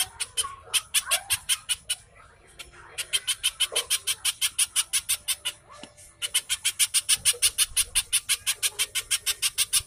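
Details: Pijantung or little spiderhunter singing in bursts as a lure for captive birds: rapid high, buzzy chip series broken by two short pauses, then resuming at a quick, tight pace.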